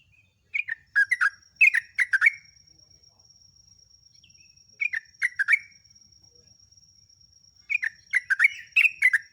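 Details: Sooty-headed bulbul song for training captive birds, in three separate bursts of quick, bubbly, warbling chirps with several quiet seconds between them. A faint steady high tone lies underneath.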